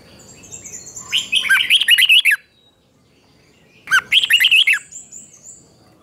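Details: Red-whiskered bulbul, morning training song in chè style for provoking wild-caught birds. Two rich bursts of rapid, bouncing, whistled notes are split by about a second and a half of silence.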